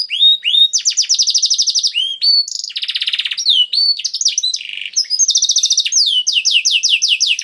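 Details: Canary singing meant to stimulate caged canaries into song, a dense high run of rapid trills, buzzy rolls and sharp rising-falling whistled notes, phrases shifting every second or so.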